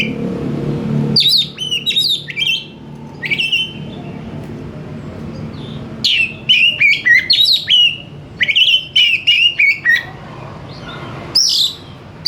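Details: Oriental magpie-robin singing 'gacor' and answering quickly: repeated bursts of sharp whistled notes with fast sweeps and trills, separated by quiet gaps of a second or more.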